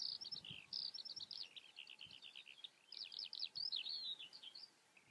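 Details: Skylark, Eurasian, pouring out high rapid song: dense bursts of trilled and buzzy notes mixed with sweeping whistles, one short pause near the middle, little else audible.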